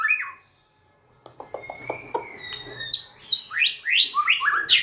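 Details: White-rumped shama singing as it dances and wags its tail. A brief whistle opens, then a quiet spell with soft clicks and a thin level whistle, then a rapid run of bright, steeply slurred notes.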